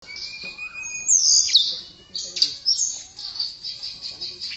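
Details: Blue flycatcher (tledekan) singing a sweet song of high, thin whistled phrases with sharp downward slurs, bursts of chatter between brief pauses, over faint background hiss.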